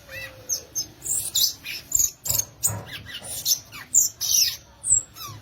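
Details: Gaturamo verdadeiro, the violaceous euphonia, giving a busy chatter of high, scratchy chips mixed with brief whistled slurs, one lower steady whistle opening the phrase.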